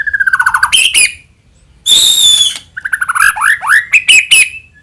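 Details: Lure song of a white-rumped shama, meant to set any shama singing: a falling series of quick whistles, a loud sustained harsh shriek, then fast upslurred whistles and sharp high chips.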